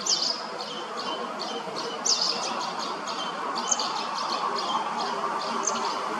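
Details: Male common linnet feeding late-brood fledglings the same size as him, under a bridge in Hrodna, western Belarus, 12 September 2025; sharp high tweets, a few louder notes standing out, over continuous broad background noise.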